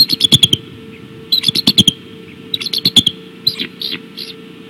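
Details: At the Decorah eagle nest on a March 2016 evening, a bald eagle gives repeated bursts of sharp, high chittering pips. About four rapid series come close together, with some softer, squeakier notes near the end. A constant background hum is present.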